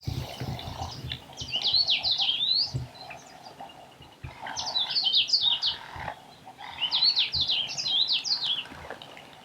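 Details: Meyer's parrots at a waterhole in Botswana, a rarely seen bird with an unusual voice, giving harsh, squealing, high-pitched calls in three separate bursts about every two and a half seconds, with low rumbling background noise.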